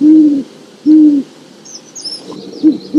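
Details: Deep, even hoots from a wild great horned owl, three spaced notes with a quick short one before the last, faint high bird chirps in the distance.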